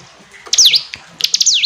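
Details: Hill prinia, or ciblek gunung, giving clear high chips followed by a swooping down-up slurred note, then a rapid trio of chips and another swoop.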